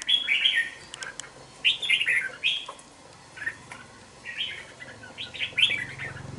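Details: Young caged red-whiskered bulbul, two months old: short bright warbled phrases, slurred and chirpy, come in bursts with brief gaps, plus faint rustling in the cage.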